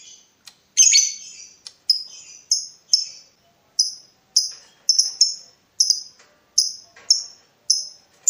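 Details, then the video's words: Lovebird in breeding mood provoking a rival: a harsh scratchy burst, then sharp high shrill chirps repeated roughly every half second. "BURUNG LOVEBIRD MENCARI LAWAN || LB MANAPUN PASTI NYAUT BUNYI"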